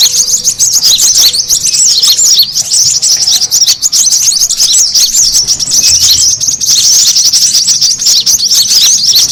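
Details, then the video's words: Lure call of the brown-throated sunbird, played noisy to gather birds: about nine seconds of unbroken, frantic high-pitched chattering, with sharp squeaky notes packed closely together. "SUARA PIKAT KORLAP RIBUT"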